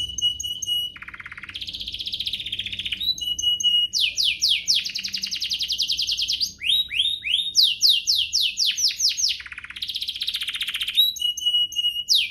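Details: Canary song for stimulating other canaries to sing, long and varied with steady whistles, buzzy trills, dense descending note runs and repeated sweeping phrases.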